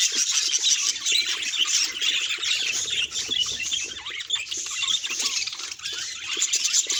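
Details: Pet budgerigars vocalizing as a group, calls described as emotional signals: fast, overlapping chirps and scratchy warbles in a constant high chatter, with a brief dip in loudness partway through.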